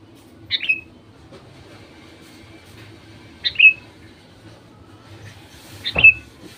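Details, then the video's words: Sooty-headed bulbul used as a lure to get other bulbuls singing: three short, sharp, down-slurred notes, each about three seconds apart, over a quiet low rumble. "Suara burung kutilang untuk memancing burung kutilang lain jadi gacor"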